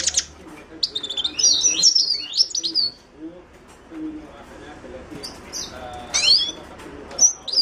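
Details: Himalayan goldfinch, Carduelis caniceps: a warbled twittering phrase at the start, quiet stretch, then a single sharp slurred note and a last faint chirp.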